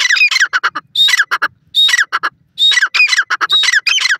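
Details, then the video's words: Grey francolin (teetar) calling near a female in a natural outdoor setting in Pakistan: loud, harsh, squawking bursts with rising whistled notes, delivered in quick uneven phrases separated by short pauses. "teetar madi ko dekh kr masti karta ha,teetar aawaz,titer voice"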